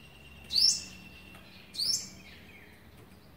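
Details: On day 11 of feeding young, 27 November 2019, an olive-backed sunbird gives two high, sharply rising chirps a little over a second apart, with a faint thin whistle behind.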